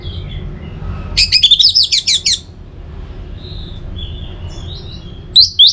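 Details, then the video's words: Orange-headed thrush (anis merah) used as a singing lure: a rapid, high, chattering run of short sharp notes lasting about a second, faint chirps in between, and a final loud high note. "Pemancing Burung ANIS MERAH Agar Selalu Gacor, Baik di Musim Hujan & Kemarau"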